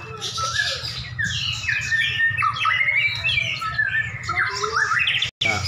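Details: Caged white-rumped shamas dueling with a rival: a continuous jumble of loud whistled phrases and scratchy notes from both birds, a brief cut near the end, and a constant low hum.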